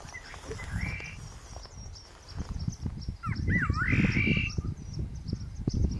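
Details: Great parrotbill calling at Tiger Hill, Senchal Wildlife Sanctuary, Darjeeling, India: a short whistled swoop near one second, then a sliding, looping whistled phrase around three to four seconds, over a loud, rumbling, crackling background.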